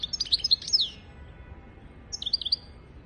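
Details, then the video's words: Goldfinch song from a tutor recording for goldfinches and canaries: a bright, fast twittering phrase with a downward-slurred buzzy note, a silence, then a second short tinkling phrase. "تغريد طائر الحسون حفاضة لتعليم طيور الحسون والكناري بدون أخطاء"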